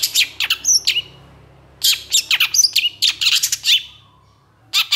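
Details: Long-tailed shrike in emotional 'gacor' song. Bursts of harsh grating notes alternate with short clear whistled slurs. The phrases are separated by a second-long pause, with a low hum in the background.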